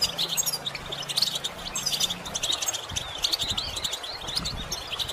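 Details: Goldfinch song used as a tutor for other goldfinches: fast, tinkling high chirps and rippling trills delivered without pause, with a faint low drone early on and brief low thumps.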